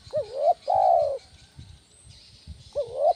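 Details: Spotted dove 'kuk 1' lure call for drawing in and training other doves: a hooked rising note, a long soft falling coo, a quiet gap with faint low thumps, then another rising note starts.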